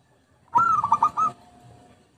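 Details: One zebra dove coo from a lure recording: a clear opening note breaking into a quick, bubbling trill lasting under a second.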